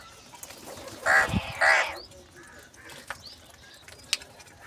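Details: Crow calling for food in the morning, given cheese and salty food: two harsh, rasping caws in quick succession near the start, then quieter background noise with faint clicks.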